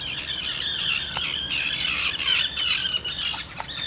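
Common terns give harsh, grating, high-pitched squawks that overlap almost without pause, as from several birds calling together.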